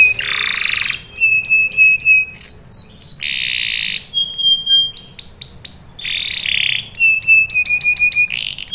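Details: Canary lure song meant to set other canaries singing and rolling, alternating rasping buzzy phrases with clear level whistles and short sweeping chirp runs, phrases changing every second or so.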